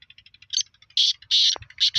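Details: Black francolin calling in Sindh, Pakistan. Quiet rapid ticking leads into loud, rasping, buzzy notes given in a quick uneven series, with two short harsh bursts closing the call.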